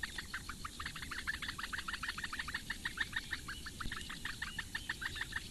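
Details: Begging of four Eurasian bittern nestlings in the reedbeds of Lake Engure, Latvia, fed by their mother on a May morning, nest camera: a dense, continuous chatter of short sharp clicks at a quick steady pace.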